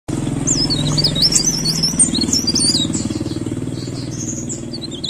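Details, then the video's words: Leaf warbler singing vigorously: a rapid, high, thin warble of wavering, twisting notes in bursts, over a steady low engine rumble from a passing vehicle. "BURUNG BLERENG - CIKRAK DAUN GACOR"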